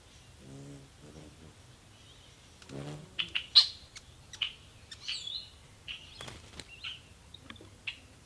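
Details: Ruby-throated hummingbirds battling at feeders: low buzzy hums open the sequence, then loud sharp chips and squeaky twittering chatter come in quick, irregular bursts.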